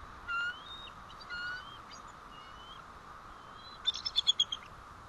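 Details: Bald eagle alerts at the White Rock nest, morning of 1 April 2012 with the male back in: two drawn-out thin whistles and soft slurred notes, then a quick burst of five sharp high chips.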